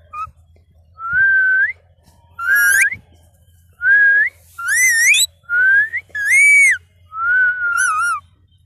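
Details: Young pet green ring-necked parrot vocalizing while being coaxed to talk: a series of clear whistled, speech-like tonal phrases, mostly rising or arched, about one every second, with a faint low hum underneath.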